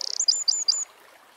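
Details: Eurasian wren song fragment outdoors: the tail of a rapid buzzy trill followed by four short high whistled notes, then quiet.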